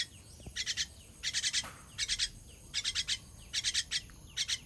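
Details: Baby bird begging while being fed, 18 June 2023: harsh, high raspy chirps in tight bursts of three or four, repeated about once a second, with a faint low knock early on.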